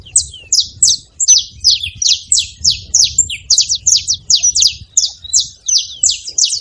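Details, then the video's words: Several saffron finches making noise together: steady stream of sharp, high descending chirps, about three per second, fairly evenly spaced, clean background. "Canário da terra junto fazendo barulho"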